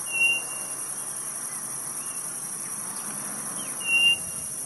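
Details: Northeastern quail whistling twice, each note a short, clean, level tone, nearly four seconds apart, with a soft faint call between them and a steady high-pitched insect chorus throughout.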